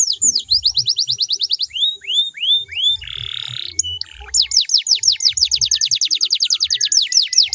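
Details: Canary song played to prompt other canaries to answer: fast series of high, downward-sweeping notes, a few slower slurred whistles, a short buzzy burst, then another long rapid trill.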